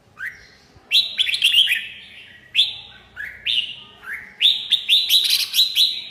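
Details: Red-whiskered bulbul singing: bright whistled phrases around mid-high pitch, each opening with a sharp rising note then a run of quick chirpy notes, repeated in bursts about every second, with little background noise.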